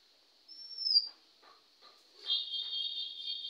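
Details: Male Oriental magpie-robin recorded in India at midday, 20 May 2021, near a house; one high, rising whistle followed by a fuller, harmonic, sustained note over a steady background drone.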